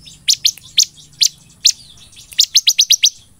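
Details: Ciblek (bar-winged prinia) in lively song mimicking a golden grasshopper. Spaced single high chirps lead into a fast, regular string of six sharp notes.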